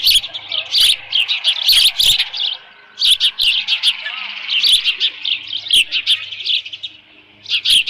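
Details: Osprey at the nest, Dunrovin Ranch, 13 June 2018 around 11:37 AM with leftover fish. Rapid runs of high, squeaky chirps alternate with quieter pauses, and a low hum runs underneath.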